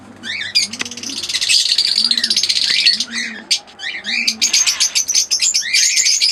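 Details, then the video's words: Fischer's lovebirds, a green Fischer pair alongside an albino red-eyed pair, chirping in dense bursts of sharp, high, rapidly repeated notes and buzzy trills, with soft low cooing repeating steadily in the background. "Singing & Chirping Sounds - Green Fischer Pair"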